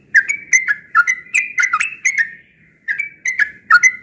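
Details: Yellow-vented bulbul, noted for frequent morning singing, giving clipped, gurgling whistled notes in quick pairs and triplets, some dipping then rising, with a brief pause before a final burst of four notes.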